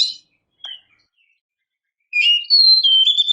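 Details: Female Oriental magpie-robin calling to provoke males: after near silence, a brief high note, then a clear whistled phrase that slides between high and mid pitch, ending on a rising note.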